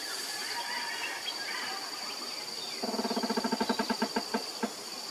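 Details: Male Rufous Woodpecker drumming on a metal streetlamp bracket arm to stake a territory and attract a female: a hollow roll of about twenty rapid knocks slowing toward the end, over a steady high insect hiss.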